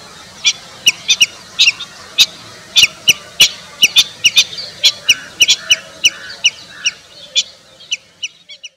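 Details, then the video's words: Common redshank in India giving loud, sharp piping notes in an irregular rapid series, about twenty in nine seconds, growing fainter toward the end. "Sound of Common redshank bird"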